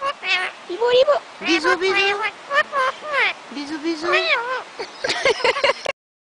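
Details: Parrots chattering and talking to each other while kissing, with drawn-out, wavering speech-like vocalizations and brief clicks, ending abruptly in silence.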